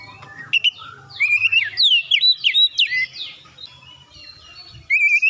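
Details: Oriental magpie-robin lure song used to make other birds sing: a tumbling series of slurred whistles and high chips over a steady low hum, then a pause and a final clear whistled note.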